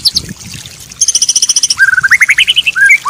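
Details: White-rumped shama tutoring song with filler phrases: scattered high notes, a fast even trill of bright chips, then ascending repeated notes and short whistles.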